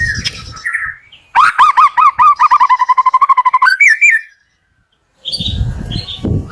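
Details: Morning white-rumped shama song to stimulate reluctant shamas: a rapid regular series of about twenty repeated whistled notes, stepping upward at the end, followed by silence and then chirps over low background noise.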